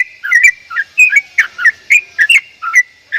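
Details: Javan myna with odd, unusual calls: loud clipped whistles in pairs and singles, some rising and some falling, spaced at uneven gaps of about a quarter second.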